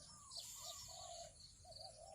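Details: During a morning decoy-training session, as wild spotted doves approach, the captive decoy spotted dove coos and calls: soft, low, rounded coos in a short run, faint beneath a bright wash of higher chirps and hiss.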